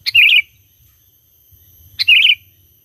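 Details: An actively singing sooty-headed bulbul, played to attract wild bulbuls, gives two loud, rich bubbly phrases about two seconds apart, each a sharp opening note rolling into a quick warbled flourish.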